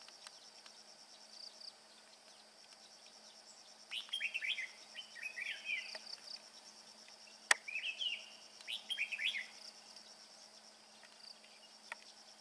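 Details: Carrying food for its young, a male red-whiskered bulbul delivers bell-voice song: two or three bursts of rich, tumbling whistled notes separated by pauses, one loud click midway, over continuous shrill insect noise.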